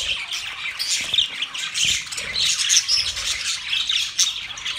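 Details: Chirping budgerigars from Australia keep up a steady, rasping chatter, thick with squawky high notes blended into a constant twittering wash, with a few low soft knocks beneath.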